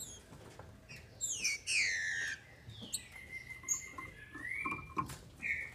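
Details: Female green-winged saltator, a captive bird in Brazil, calling to excite males: a few clear descending whistled slurs and a long level whistle, fairly faint, over soft clicking and rustling in the background.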